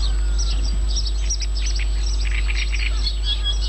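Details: Wild birds singing in Yanovka, Novocherkassk, recorded on 29 May 2017: a busy chorus of high chirps and short twittering phrases from several birds, over a steady electrical hum and low rumbling background noise.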